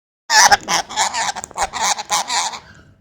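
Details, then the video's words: Talking parrot producing a dense, harsh run of voice-like syllables with strong harmonics, about two and a half seconds of rapid, choppy chatter in a quiet room. "Taking parrot"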